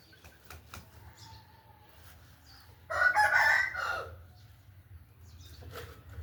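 An Aseel rooster gives one short, hoarse crow lasting about a second, with a few faint clicks and light rustling before and after.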